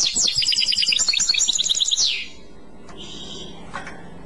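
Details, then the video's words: Short Clochette-style phrase from a European goldfinch: about two seconds of quick, descending twittered notes, followed by near silence with a couple of faint chips. "تغريد كلوشات Chant Clochette"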